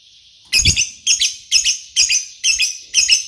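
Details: Lovebird chirping actively: six harsh, rasping, shrill chirps in quick succession, about two per second, each with a buzzy broken texture, preceded by a faint steady whine.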